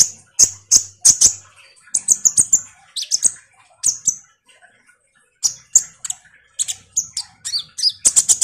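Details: Kolibri ninja (Van Hasselt's sunbird) used to stimulate other birds to sing. Loud high-pitched chip notes repeat roughly every half second, with clustered rapid twitters and a brief pause midway.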